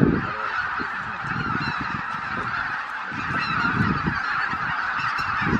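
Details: Over 83,000 Greater white-fronted geese leaving the roost at Miyajima-numa, Japan, early on 23 April 2017 in bad weather, recorded with a Canon PowerShot SX710HS; thick chorus of yelping honks over low, rumbling wind or wingbeat noise.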